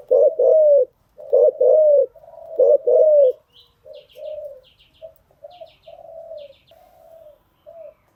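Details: Lure recording of a spotted dove for training newly caught birds: three loud rough coo phrases in quick succession, then softer trailing coos with faint high chirps from another bird.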